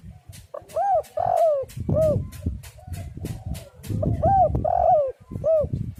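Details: Spotted dove (tekukur) calling, used as a lure to get other doves singing: two phrases of soft arched coos, each a quick cluster of three or four rounded notes, over a low rumbling background.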